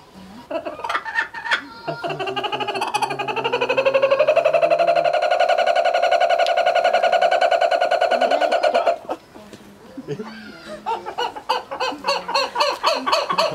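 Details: Laughing kookaburras at Morioka Zoological Park, Japan, call back and forth on an October 2020 evening. They trade rough chuckling bursts, then a long rolling hoot that swells into fast cackling notes in an echoing space. They stopped when people gathered.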